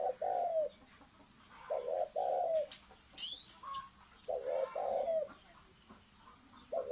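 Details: Spotted dove giving thổ sấm style song: strong low coo phrases in groups of two or three, spaced by short silences, with a faint upward sweep from another bird and clicks in between.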